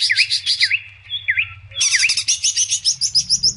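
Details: Sooty-headed bulbul song used as bait for bulbuls: a series of short V-shaped whistled notes, then a quick regular sequence of bright chirps repeated about four times a second.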